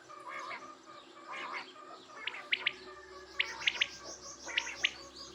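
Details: Quail calling in short bursts of two to three sharp, high, clipped notes, each burst repeated about once a second, with softer chirps and background birdsong between phrases.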